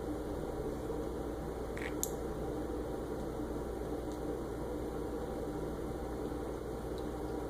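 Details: Steady indoor hum with a faint whine and a couple of short clicks near the two-second mark, and no animal voice.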